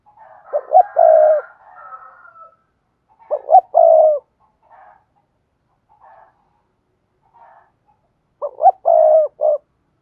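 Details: "Thúc gù" style coo of a spotted dove, meant for training new doves to coo. Three low phrases, each of quick hoots ending in a long steady note, are spaced a few seconds apart with faint soft notes between.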